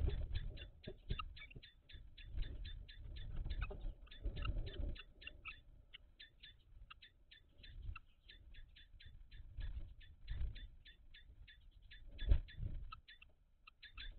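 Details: At a kestrel nest box in May 2023, where the male brings mice and the female broods: a long run of quick, dry, ticking notes, fast and steady for fourteen seconds, with low thumps and rustling inside the box.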